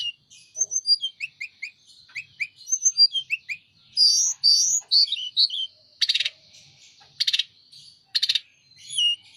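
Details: Sunda robin pouring out song with wings opened: fast series of short, falling high whistles and twittering, followed by repeated loud harsh rasping bursts between quieter high notes.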